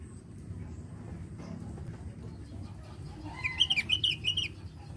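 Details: Lively Javan grey-throated white-eye song, used as a lure to prompt other birds to sing: a quick, bright phrase of high chirping notes lasting just over a second, over a steady low rumble of background noise.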